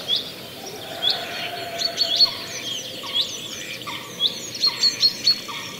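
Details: Chaffinch calls at Eyeworth Pond, New Forest, with two mallards alighting on water: short, sharp high notes and quick down-slurred chips repeated every second or so, over a busy background of other birds' chirps.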